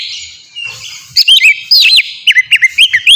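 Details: Caged Oriental magpie-robin singing an open, relaxed song used to prompt other birds to sing: after a quiet start, loud whistled swoops followed by a string of short rising-falling notes repeated quickly.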